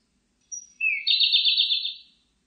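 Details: Song of a Siberian blue robin: a thin high whistle and a lower rising note introduce a rapid, rolling, evenly repeated trill that fades after about a second.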